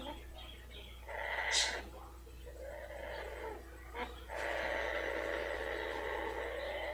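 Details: Female blue-fronted amazon kept as a pet, purring with pleasure as her rump is rubbed. A short rasping burst comes first, then a long, even, buzzy purr, with soft indoor hum and faint voices.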